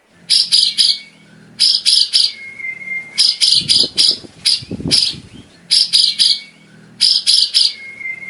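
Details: Tutoring song of a white-rumped shama for caged birds. Clusters of sharp, high chirps repeat about every second and a half, each group trailing into a thin, level whistle, with faint low rumbling in the background.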